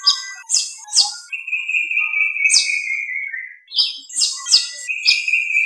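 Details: Ruddy-breasted seedeater: sharp high chips repeated about twice a second, broken by a long, even, steady whistle that falls slightly at its end, then more quick chips and a second held whistle.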